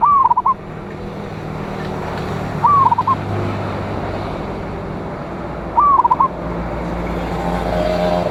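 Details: Big-voiced local zebra dove from Indonesia singing to attract rivals: three cooing phrases, each rising then breaking into quick notes, roughly every three seconds, partly masked by steady surf-like rumble.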